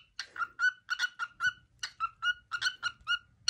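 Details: Male cockatiel kept as a pet whistling his favourite everyday tune: a rhythmic string of clear, short, mid-pitched whistled notes with slight downward slurs, in a quiet room.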